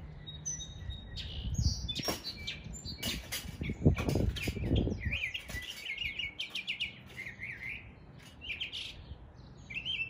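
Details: Mockingbird mimicking area birds in East Tennessee: loud thumping and rustling dominate the first half, then a fast, varied stream of high chirps and trills takes over, repeated rapidly with small changes.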